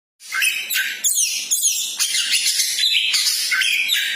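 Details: Magpie-robin described as a champion-spirited bird, singing to stir up other pet magpie-robins: a dense rush of sharp whistles, chattering notes and fast trills after a brief silent start, continuous and loud.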